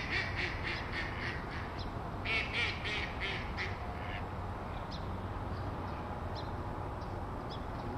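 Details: Flock of Canada geese at Rose Hills Memorial ponds, Whittier, California, early 2008: a rapid run of harsh, nasal honks, several a second for about four seconds, then fainter scattered calls over steady low rumble.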